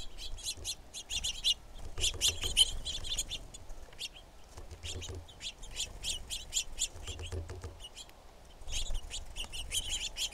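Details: Female red-shafted Northern flicker giving bursts of short, sharp, high chips in quick series, several rapid runs separated by brief pauses, with a low rumbling background.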